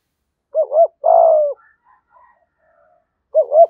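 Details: Cooing spotted dove, decoy voice for drawing wild doves: a clear double note, a long slightly falling coo, quiet faint notes, then another double note.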